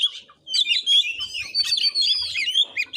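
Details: Fighting Oriental magpie-robin tested for its singing in a village in Muko Muko, Bengkulu, Indonesia. It gives a dense, unbroken warble of bright whistles and rolling trills after a brief pause, with soft low knocks beneath.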